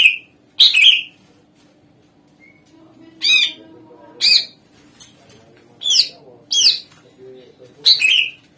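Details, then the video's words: Greater green leafbird song used as a lure for other birds: a loud chattering phrase followed by a series of sharp harsh downward-swept notes at uneven intervals of about a second, ending in another rasping chatter. "Ampuh Suara Pancingan Cucak Ijo Gacor Di Jamin Langsung Ikut Nyaut Jenis Kicau Lain Mendegar"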